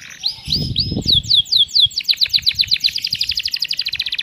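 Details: Canary singing the cengkok mewah style as a training recording: a few soft whistles, then loud descending slurs, followed by a long fast series of repeated chirps.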